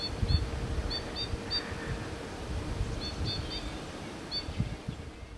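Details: A few White-winged Crossbills high in spruces at Sax-Zim Bog in early December give short, dry, high chips in loose clusters of two or three, over a steady low wind rumble.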